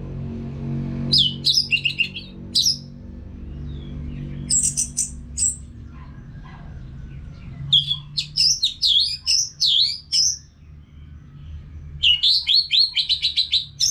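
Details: Orange-headed thrush in continuous song, used as a training sound for caged birds: repeated bursts of quick, varied whistled notes, including rising and falling slurs, separated by brief pauses, with rapid note runs near the end.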